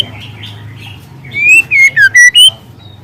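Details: Young spotted White-rumped Shama in the wild: after soft background calls, it gives a loud run of four or five sharp whistled notes that jump between pitches.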